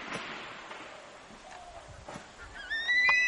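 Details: Crested serpent eagle pair calling outside Kulgi nature camp near Dandeli and Anshi Tiger Reserve, Uttara Kannada, Karnataka, on 18/12/10, apparently in breeding season; after quiet rustling, a clear ringing whistle rises and holds near the end.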